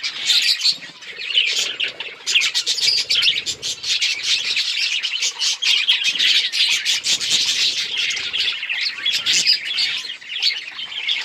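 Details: Several budgies chirping on October 26, 2023, in a busy, unbroken stream of shrill twitters, scratchy squawks and sharp clicking notes that swell and fade over the whole stretch.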